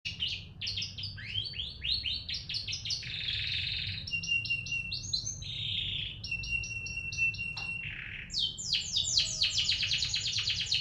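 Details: Caged canary singing, played as a lure to get another canary singing vigorously: a long varied song of rapid high trills, buzzy rolls and sweeping whistled notes, with sustained flat tones mid-phrase and a dense trill at the end.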